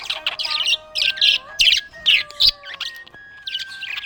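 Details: A cheerful budgie gives rapid, scratchy high chirps in short clusters, about two or three bursts each second, separated by short gaps, with a thin steady tone running beneath.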